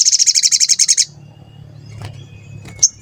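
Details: Sooty-headed bulbul lure call meant to make other bulbuls sing: a one-second rapid trill of about a dozen clear high notes, then quiet low background and one final sharp chirp.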